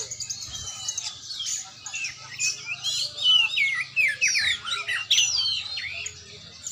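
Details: Oriental magpie-robin (kacer) during a training session: rapid, varied whistled phrases with sharp upsweeps and downslurs, dense and overlapping, some squawky notes, steady faint low hum beneath.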